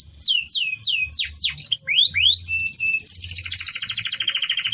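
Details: Canary singing to train other birds: a string of loud falling whistles and rising slurs, short flat tones, then a long rapid buzzy trill to the end; faint low hum beneath.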